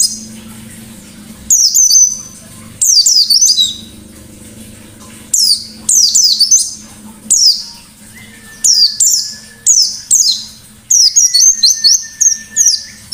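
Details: A white-eye sings 'ngalas' style song with loud 'nembak' bursts, a series of sharp, high, descending twittered phrases about a second apart, some linked by a thin steady tone, over a low hum.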